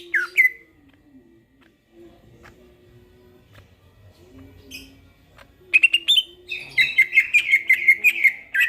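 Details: Greater green leafbird at night: one whistled note, a long quiet stretch with a low hum, then a rapid series of clear repeated whistled notes at an even rhythm.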